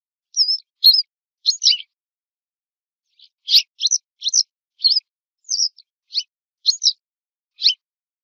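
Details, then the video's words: A Western yellow wagtail (Motacilla flava) gives thin, high, sweeping chirps, singly or in quick pairs, spaced unevenly over several seconds against a quiet background. "صوت ذعرة صفراء song call wastern yellow wagtail"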